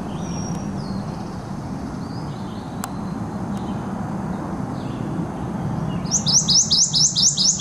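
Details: Prothonotary warbler singing at Skokie Lagoons on 30 May 2010: a loud series of about seven sharp, ringing repeated notes near the end, after faint distant chirps over a steady low rumble.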